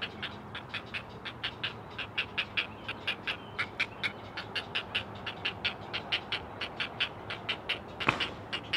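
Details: Four great blue heron chicks on a Chesapeake nest, caught by a live camera, calling to their mother: a steady string of short, dry, clacking notes, roughly three a second, with one louder sharp click near the end.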